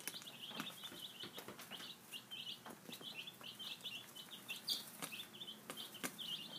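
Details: Five-day-old chicks at breakfast keep up a busy stream of thin, high peeps, many birds calling together, punctuated by feed taps and light rustling.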